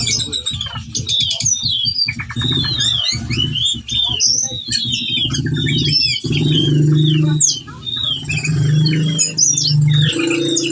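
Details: Ciung batu or ciung wanara, a whistling thrush in breeding condition calling a female, kept as a training lure for other birds. It delivers a dense run of fast whistled, chirping and slurred high notes over a steady low hum.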